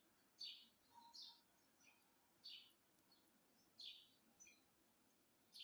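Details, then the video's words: Pet parrot calling at home: short, harsh, high screeches repeated about every one to one and a half seconds, each followed by softer, brief chirps, over a quiet background hiss. "parrot calling sound"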